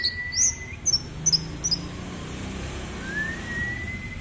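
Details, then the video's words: Orange-headed thrush song: a drawn-out whistle, then a few short, high, sharp chirps in quick pairs, a pause, and another slow upward-sliding whistle, against a quiet, low background hum. "anis merah gacor"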